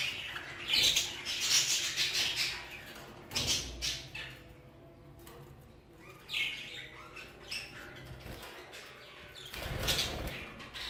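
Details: Aviary budgerigars, Hogoromo type, giving bursts of busy chirping and scratchy warbling that rise and fade in waves, loudest near the start and again toward the end, with quieter gaps between.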